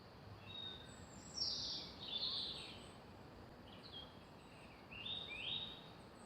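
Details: Faint, high birdsong by the lake at Decoy Park, Newton Abbot, on 21 May 2020: short chirping and twittering phrases every second or two over a steady hiss of outdoor background noise.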